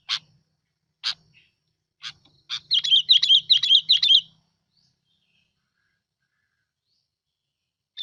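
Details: Sooty-headed bulbul used as a lure bird: four sharp, separate clicking notes about a second apart, then a quick burst of warbled, wavering whistles lasting over a second, followed by silence.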